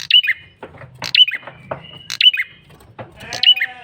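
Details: Insistent lure calling from a male bar-winged prinia: rapid sharp squeaky notes about once a second, interspersed with softer rasping chatter and a brief low harmonic drone.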